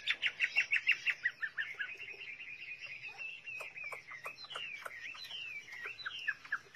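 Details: Chinese hwamei song opening with a fast, even series of sharp chipping notes, about eight a second, then a softer, running chain of slurred whistles and quick flicks.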